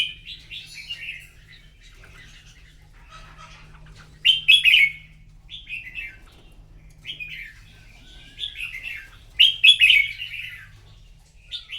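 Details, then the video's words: Red-whiskered bulbul in a morning song contest: crisp, cheerful warbled phrases delivered in clusters every few seconds, separated by brief silences. "Chào mào hót đấu buổi sáng kích chim hót đấu căng lửa"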